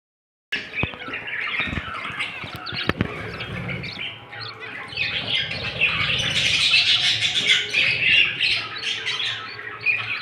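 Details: Budgerigar parents, said to be very sad after their baby died, chatter in a busy stream of high, scratchy warbles and squawks.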